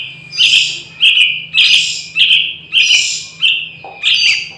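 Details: A young wild Yellow-vented Bulbul gives seven harsh, raspy chirps, about one every two-thirds of a second, over a faint low hum.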